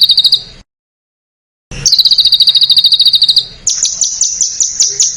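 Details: Masteran for contest birds with sharp, tight delivery: short high trill bursts, a pause, a long rapid metallic trill, then a series of very high, sharp downslurred notes.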